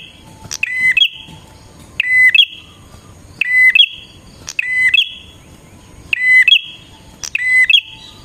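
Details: Persistent bar-winged prinia song played to draw in wild prinias: six similar phrases roughly every one and a half seconds, each a flat whistle followed by a higher buzzing tail, with short sharp clicks.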